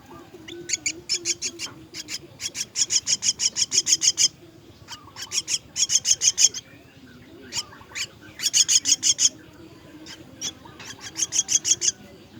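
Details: Myna chicks begging while being fed: loud, harsh, rapidly repeated high rasping calls in bursts of several per second, separated by short pauses, with faint lower calls between bursts.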